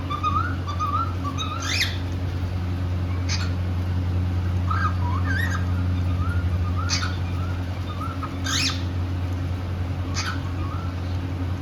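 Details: Pet cockatiel, happy and playing, sings soft wavy whistles and warbled twists, broken by sharp clicks and taps every couple of seconds, with a steady background hum.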